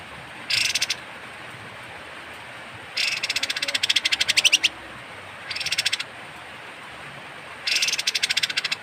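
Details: Kapas tembak bird calling roughly, used to tutor songbirds: four separate bursts of dry, buzzy rattling, the second longest at about two seconds, spaced by quiet gaps.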